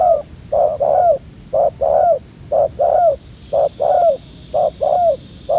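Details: Young male spotted dove, fierce and bold at a ground decoy trap, its collar not yet complete; steady low cooing in paired notes, a short coo followed by a longer falling one, roughly once a second.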